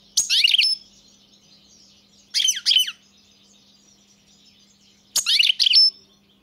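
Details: European goldfinch giving three short bursts of high, tinkling twitter about two seconds apart, each a quick cluster of sliding chirps, with quiet gaps and a faint low electrical hum throughout.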